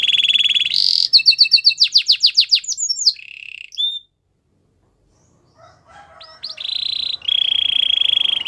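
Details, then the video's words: Belgian canary singing a high steady trill, rapid falling whistled notes and a short tour, a silent gap, then a softer rolling trill. "Belgian canary song"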